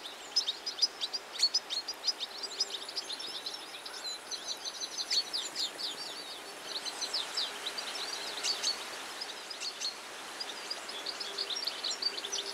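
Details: European goldfinch singing a long, continuous, high-pitched twittering song of rapid chirps, tinkling notes and short buzzy trills, with scarcely any pause, over a soft steady background hiss.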